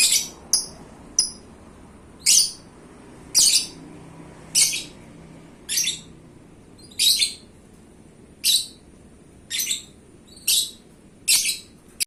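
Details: Champion-grade pet lovebird repeating loud, shrill chirping screeches roughly once a second, each short and harsh, in a steady series.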